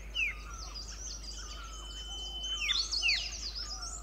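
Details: A pair of Himalayan (white-cheeked) bulbuls (Pycnonotus leucogenys) calling from a shrub in a sanctuary at Pari Tibba, Motidhar, India: bright, liquid chirps and short slurred whistles in quick, uneven bursts, with a hill barbet and other birds calling and a thin steady whine behind.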